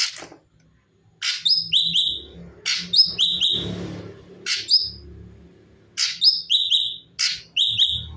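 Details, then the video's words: Cucak cungkok bulbul singing actively, in its natural voice with variations, recorded as a tutor recording for training other songbirds; bursts of sharp high whistled notes that drop in pitch, in groups separated by pauses, with faint low background hum. "CUCAK CUNGKOK GACOR SUARA ASLI VARIASI UNTUK MASTERAN"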